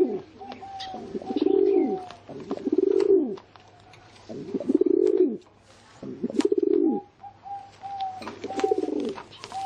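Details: Pigeon giving low rolling coos in a series of about five phrases, with a faint higher steady tone running over some of them and light clicks.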